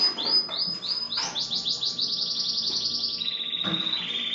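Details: Belgian or native 'da terra' canary singing: a few clear whistled notes lead into a fast, even rattling trill that holds steady, then drops to a lower sustained trill near the end.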